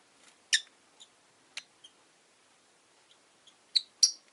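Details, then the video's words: Five rosy-faced lovebirds in a cage beside a window on a relaxed afternoon make scattered high, sharp chirps, some faint and some loud, ending in two strong chirps close together. "Lovebird Chirping Sounds"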